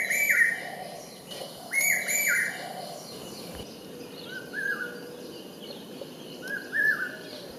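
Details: Common hawk-cuckoo, the brain fever bird, resident in the Indian subcontinent. Loud, clear whistled notes, each sliding up then dropping, in short groups, the first set loudest and later sets softer and more distant, with thin high chirps from other birds.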